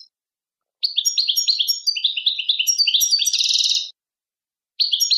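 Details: A long tinkling twitter from a European goldfinch, many quick bright notes ending in a buzzy rattle before a pause and a fresh burst.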